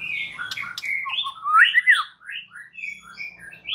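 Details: White-rumped shama song intended to provoke rival males: a continuous, rambling warble of varied whistled notes, with one louder slurred phrase in the middle and some faint low background rumble.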